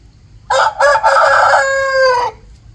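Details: Full cock-a-doodle-doo from a rooster signalling the start of the day and waking people: short broken opening notes, then a loud sustained rasping tone lasting over a second that tapers off, with quiet surroundings.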